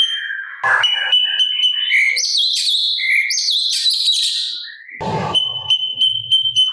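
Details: Sooty-capped babbler singing on a master track for teaching cage birds: a long held whistle, then tumbling clear rising notes and chatter, with faint rapid ticking behind and a low thump.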